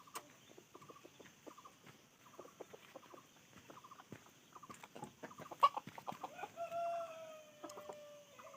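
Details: Red junglefowl clucks, a cluster of abrupt notes mid-clip, set against a steady background of repeated short insect trills and a high continuous hiss, with a drawn-out falling whistle near the end.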